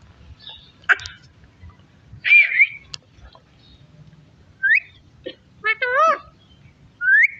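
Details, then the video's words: Parrot eating melon seeds, vocalizing in a chatty way: scattered sharp whistles and squeaks, rising upslurred whistles, and a wavy, warbling tonal phrase, with pauses between sounds. "तोते ने खरबुजे के बीज खाया/natural talking sound voice"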